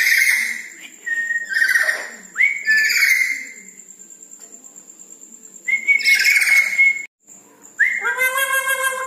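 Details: Red-breasted parakeet calling actively at night: clear whistled notes near two kilohertz alternate with short harmonic squawks, then a brief pause before a louder burst of layered, nasal calls, over a steady faint high-pitched tone.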